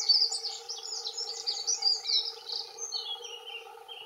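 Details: Territorial song of male dunnocks, two birds: a rapid, jingling high warble of squeaky tumbling notes lasting about two and a half seconds, then fainter, over a steady low drone.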